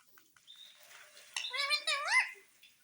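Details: Pet parrot that says "mummy" and "papa": after quiet clicks, two short, voice-like rising and falling syllables in a raspy, nasal tone.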